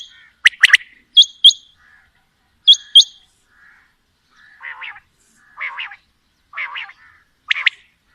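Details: Quail (batair), female and male mixed calling: high paired chirps and a sharp burst at first, then lower, softer rasping notes spaced about a second apart.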